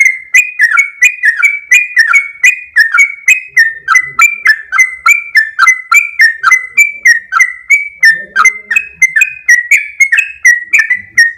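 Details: Long rapid 'ropel' song of a sooty-headed bulbul: about three bright whistled notes a second, repeated without pause for over ten seconds. Pitch wavers slightly from note to note, with a faint low murmur partway through.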